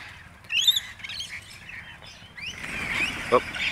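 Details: At a bird feeding, a noisy flock of rainbow lorikeets, which usually come in their hundreds, gives shrill, screechy chattering calls in overlapping bursts after something sets them off, with a man talking in the background.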